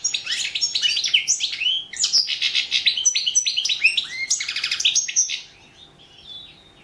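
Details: European goldfinch, competition entry in the online World Championship in Goldfinch Song: long, fast chattering song of tinkling notes, buzzy trills and sweeping chirps, fading to soft quiet calls at the end.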